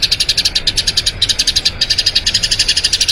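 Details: Rolling song of a Eurasian tree sparrow, a long master recording meant for teaching other birds; high, clipped chirps follow each other rapidly, pausing briefly twice before running on.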